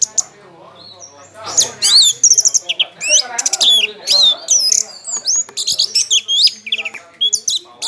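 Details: Loud song from a kept orange-headed thrush that spreads its tail as it sings: dense, fast-changing whistles and sweeping high notes delivered in rapid series, with almost no pause from start to finish.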